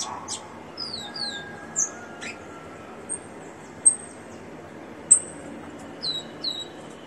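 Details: Caged rufous-collared sparrow singing a little: pairs of thin descending whistles at the start and again near the end, with sharp high ticks scattered between them and a steady hiss behind.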